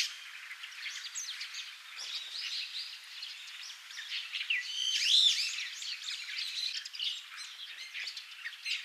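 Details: Brown-eared bulbuls of the Taiwan subspecies on Yonaguni Island give a dense jumble of harsh, squeaky, chattering calls, several birds overlapping in a continuous high-pitched chorus.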